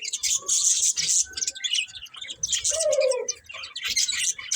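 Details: Budgerigars, a breeding pair, chirping: dense scratchy warbling chatter high in pitch, with a few clearer whistled notes, one long falling whistle near the middle, sounding almost continuously.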